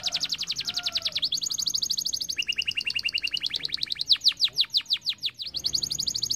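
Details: Canary song meant to get other birds singing: fast high trills shifting between tours, a lower buzzy series, then slower sweeping notes and a return to rapid rolling trill.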